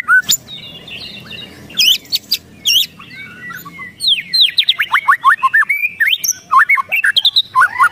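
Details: Agitated white-rumped shama ketrekan: loud snapping clicks, then a rapid tumbling run of sharp slurred notes, swooping up and down in quick succession, nearly continuous through the second half.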